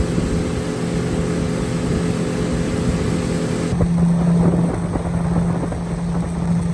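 A loud, steady motor drone with a low hum that shifts abruptly partway through, and no animal sound.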